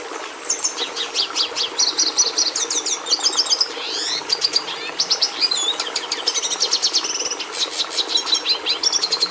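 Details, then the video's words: Singing red siskin (Carduelis cucullata): a sustained high, fast warble mixing chattering notes, dense rattles, a buzzy rising-falling sweep and whistled phrases, over faint steady hum. "Canto do Tarim da Venezuela"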